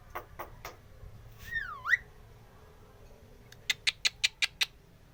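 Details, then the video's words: Starling song used to train young starlings to sing: a few short clicks, a harmonic whistle sweeping down then sharply up, then a rapid run of six sharp broadband clicks near the end. "Suara khas jalak manggut-manggut, cocok untuk pancingan jalak muda & bahan, supaya cepat gacor"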